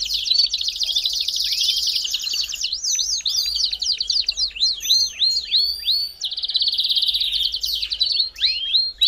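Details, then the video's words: Belgian canary in full song. A rolling, rapid trill gives way to swooping, arched whistled notes, then another fast buzzing roll and more looping whistles over nine seconds. Used to get a canary singing. "CANTO PARA ESQUENTAR CANÁRIO BELGA"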